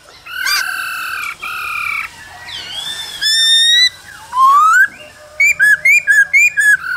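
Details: Cold-season singing from a male laughingthrush dancing beside a calling female. Long, flat, rich whistles come first, then a bending tone and a steep rising slur. A burst of six quick, looping whistled notes follows.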